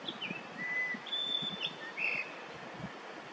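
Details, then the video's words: Yellow-billed grosbeak song recorded in Korea in early May 2024: soft, fairly distant whistled notes, one long and level, with rustling and low background noise throughout. "밀화부리 울음소리 yellow-billed grosbeak song"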